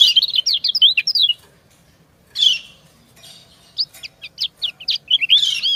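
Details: Female white-eye answering a male, the pair calling back and forth; a rapid twittering run of high slurred notes, a pause, one buzzy chirp, then another quick series of thin wavering notes.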